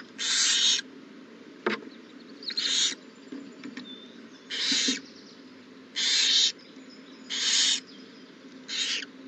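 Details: Owl at its nest on April 20, 2019, the morning a new owlet hatched at 6:02 am: six loud, harsh, hissing bursts, each about half a second, spaced irregularly over low steady background hum.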